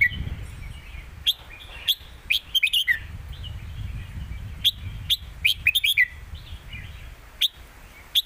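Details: Red-whiskered bulbuls dueling in the southern master-pattern song style. Bright, quick whistled phrases ring out in clusters over a steady low rumbling background.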